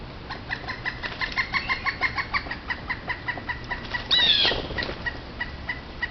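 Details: Wild Pileated Woodpecker recorded by a backyard trail camera beside a creek, calling in a fast, loud series of even, ringing notes that rise and fade, about three per second, briefly overlapped by another bird's sharp downslurred note.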